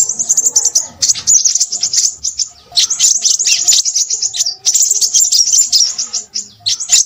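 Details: Crimson sunbird singing in noisy bursts of rapid, very high twittering, separated by short gaps, each phrase a scratchy tumble of thin chirps.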